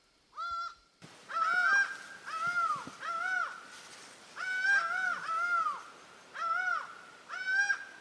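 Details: Laughing falcon near Guayaquil, Ecuador, giving loud, clear, slightly downslurred calls with rich harmonics, each about half a second long, repeated in a loose series of about nine notes over eight seconds against a quiet background.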